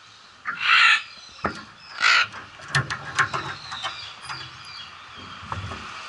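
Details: Macaws at Emperor Valley Zoo in Trinidad on a holiday; loud, harsh, broadband squawks, two strong ones a little over a second apart, then quieter rasping calls with clicks and faint background noise.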